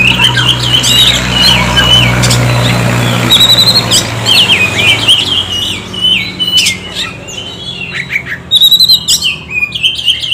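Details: Lure song of an Oriental magpie-robin, meant to stimulate birds to sing: a rapid varied run of whistled and chirping notes that later breaks into sharper, spaced phrases, over a low hum early on.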